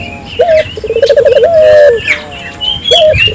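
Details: Turtle dove calling steadily to encourage local doves: a short low note, a fast pulsed trill and a long sliding coo, then another opening note, with sparse high chirps from other birds behind.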